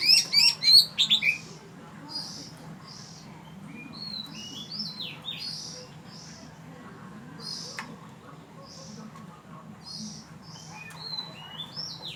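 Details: Oriental magpie-robin at Ban Wat Phra Koet, Fa Lami, Phatthalung, Thailand: a loud burst of rapid, sharp whistled notes opens, then softer scattered high whistles and slurred notes continue over a low steady hum.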